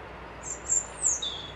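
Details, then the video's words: A bird by a loch in Dundee gives thin, very high sliding whistles, several short strokes in a row that end in one slightly lower drawn-out note. "Birds whistling"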